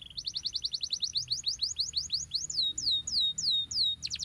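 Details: Canary song meant to overcome lazy canaries: an even series of quick upward-then-down whistled notes that gradually stretches into slower, longer swoops, ending in a sudden burst of rapid notes.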